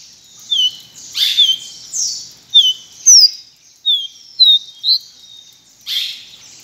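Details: High, thin, downslurred whistles from a pileated finch, repeated roughly every half second to second, with a few brief noisy rustles among them.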